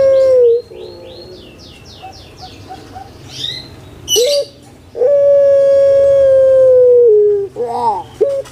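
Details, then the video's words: Captive puter pelung collared dove kept in Indonesia: a brief low coo, then high chirps from other birds, then a long, steady, mellow hoot held about two seconds that drops slightly before ending, followed by a short warbling note. "PUTER PELUNG SUARA MERDU STABIL"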